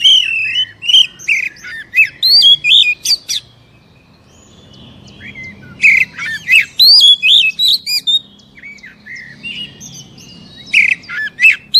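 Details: Oriental magpie-robin singing, a recording meant to provoke a caged bird into answering: bursts of loud varied whistles, chirps and rasping notes, a quiet pause around four to five seconds, then further rapid phrases.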